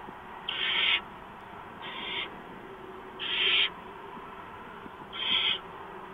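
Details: Barn owl nest at 4:26 a.m. in March during a mouse delivery; four separate harsh hissing screeches, each about half a second, spaced one to two seconds apart over a constant low hiss.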